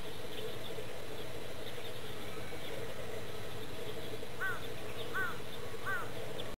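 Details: Mute swan cygnet playing with its father at Akō Castle ruins park gives three short, arched peeping calls near the end, over a steady low rumble of background noise.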